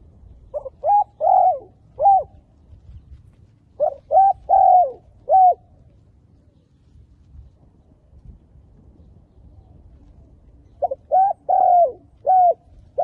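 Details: Decoy spotted dove calling to lure wild doves for trapping: three phrases of three to four soft, hollow coos, the middle note longest, separated by pauses of several seconds, with a low rustling background.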